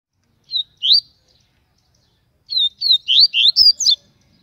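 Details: Yellow-bellied Seedeater (papa-capim baiano) from Aracaju, Sergipe, Brazil, a strong, loud singer of the TUI TUI song style used to teach song: two quick high notes, a pause, then a fast run of six rising, slurred whistles.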